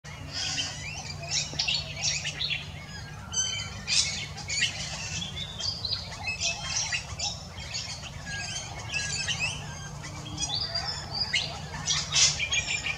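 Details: Pale-headed rosellas in Hervey Bay, Queensland, give busy, high squeaky chatter and short piping notes, overlapping almost without pause over a low steady hum.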